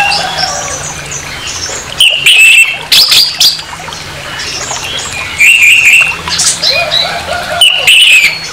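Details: Orange-headed thrush producing harsh song intended to trigger aggression in another orange-headed thrush; grating, noisy bursts alternate with high whistled slurs and soft chatter, repeated phrases over a steady low hum.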